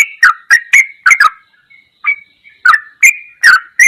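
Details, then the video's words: Yellow-vented bulbul song for bird training, in the goklikan ropelan style: short bubbly, chortled notes in quick bursts with sharp clicking onsets, a brief pause near the middle, then further rapid phrases. "MASTERAN TRUCUKAN TERBAIK || ROPELAN GOKLIKAN TOP"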